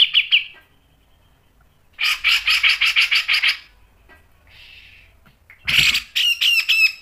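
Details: Grey-cheeked bulbul in gacor song for a pancingan recording: a short harsh note, silence, then a rattling run of about ten grating notes, a soft buzzy note, and another loud rasping series.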